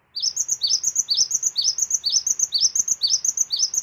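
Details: Cinereous tit singing as a lure to set other birds singing: bright two-note whistles, each rising sharply, repeated steadily about twice a second throughout.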